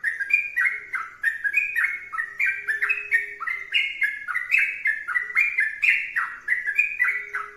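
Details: Energetic sooty-headed bulbul song, bubbly whistled notes chained in fast, bouncing phrases throughout, with a soft steady hum audible in the background.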